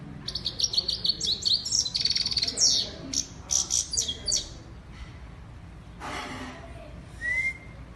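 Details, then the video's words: Female European goldfinch singing: quick bursts of high, tinkling, twittering notes for about five seconds, then quieter with a soft broadband rush and one short rising whistle near the end. "European Lady Goldfinch or Saira Bird Singing"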